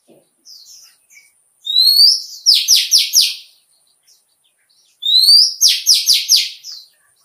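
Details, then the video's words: Oriental white-eye used as training audio to stimulate other birds to sing in contests gives two bright high-pitched phrases, each a rising whistle then four or five fast descending buzzy trills, about three seconds apart. "chim Vành Khuyên Chuần Giọng líu chòe, kích chim hót đấu"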